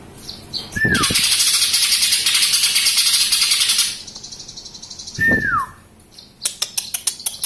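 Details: Greater green leafbird, a young bird just past its speckled juvenile stage and still moulting: a long, loud, rapid rattling chatter runs for about three seconds, broken by two sharp descending whistled slurs and a burst of clicking notes.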